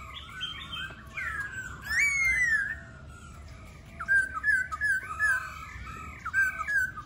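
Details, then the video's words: A laughingthrush sings a long, varied whistled phrase, then a run of rapid warbled notes rising and falling around one pitch, with fainter chatter underneath. "Khướu Hót"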